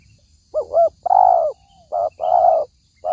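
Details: Spotted dove lure call for trapping: a quick double hoot, then a drawn-out warm coo with a soft sliding tail, followed by another coo phrase. Faint distant bird chirps sound behind.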